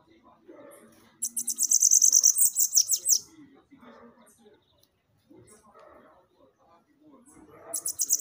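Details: Bananaquit song played to excite and stimulate captive birds: a high, buzzy run of rapid repeated notes lasting about two seconds, with another burst starting at the end; faint low murmuring underneath.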